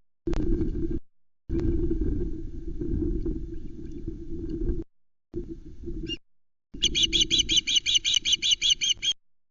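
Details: Loch Arkaig osprey nest in July 2020, three chicks on the nest while an adult brings a trout. Bursts of low rumbling noise, then a long rapid series of around fourteen piercing, evenly spaced chirps, each clipped and ringing.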